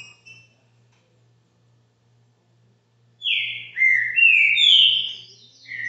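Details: Caxinguelo bitola song of a green-winged saltator at a subscriber's home: after about three seconds of near silence, a rich run of loud whistled notes, stepping down then up, with thin high overtones above.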